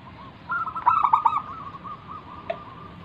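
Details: Vocal local zebra dove singing in the 'manggung' style, kept as a lure to draw other doves into song: a quick stuttering run of trilled coos, then a softer, steady rolling trill fading out.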